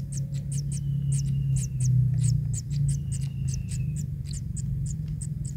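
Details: Tiny naked kingfisher young being given fish by an adult: fast piercing chip notes roughly three a second, with faint level whistled tones in between and a low hum.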